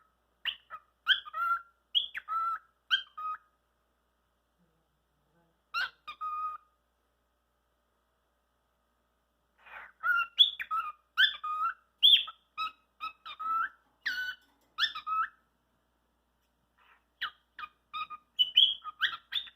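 A cockatiel chatters in short, scratchy, whistled phrases, mimicking the words "what are you doing."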